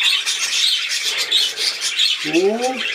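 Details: Budgerigars at play giving a busy run of rapid, scratchy twitters and chirps, before a person's voice cuts in for the last moment.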